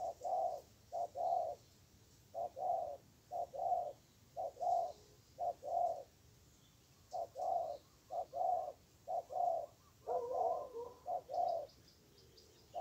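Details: Wild spotted dove with a strong voice, fiercely answering a decoy during trapping, gives steady low mellow coos in paired phrases, short note then longer coo, repeated about once a second, with faint high chirps near the end.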